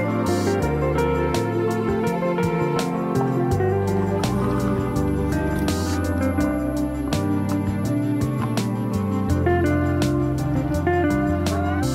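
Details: Gentle instrumental music with plucked guitar and steady bass notes throughout, with no animal calls audible.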